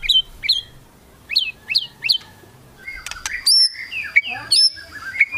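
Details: White-rumped shama giving kretekan song meant to provoke rival birds into singing: a series of sharp, downward-slurred chips, then a varied run of clear whistles, bright clicks and upslurred notes.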